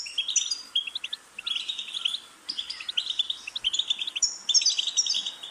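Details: ['European goldfinch singing a fast, liquid twittering song of tinkling chirps and short trills high in pitch, phrases broken by brief pauses, with bright ringing accents near the top of its range.']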